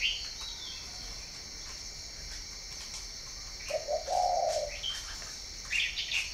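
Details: Farm-bred spotted dove from Ba Vì in northern Vietnam utters a single soft, warm coo phrase midway. Scattered high chirps from other birds and a continuous insect whine fill the rest.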